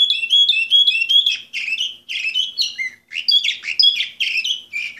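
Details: Loud Orpheus canary song from bird number 24, 2014: rapid chirped notes repeated in quick series, then varied buzzy rolls and whistled slurs delivered almost without pause.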